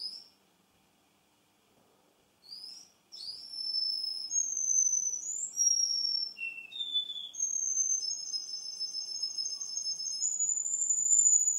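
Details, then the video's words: Male Russian canary in song two months later. After a short silence come sustained clear whistles, each held for a moment before stepping to a new pitch, with one low dip and a long high drawn-out tone at the close. "RUSSIAN CANARY-РУССКАЯ КАНАРЕЙКА"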